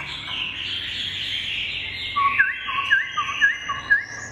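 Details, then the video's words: Fully tame pet Chinese hwamei, kept loose like a chicken, said to sing well; after two seconds of steady buzzy background hum, clear whistled downslurred phrases repeat about every half second, each dropping from high to lower pitch. "Chim thuần 100%, thả như gà, điện đóm ổn định hót tốt | Họat Họa Mi"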